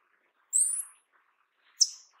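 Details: Paradise tanager (sete-cores-da-amazônia) giving two very high, thin, hissing notes about a second apart. The first note sweeps slightly upward and the second is a sharp downslurred tsip, with silence around them.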